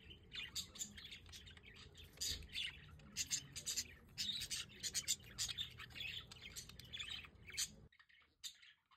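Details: Several budgerigars on a balcony in The Hague in pleasant weather chatter energetically with rapid, raspy chirps and squawks, then the sound cuts to near silence at the end.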